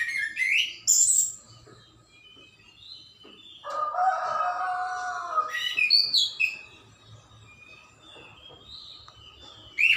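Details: Birds chirping in the morning: scattered high whistled notes and short rising chirps, with a longer, lower, harsh, wavering call in the middle and a quiet background of other birds.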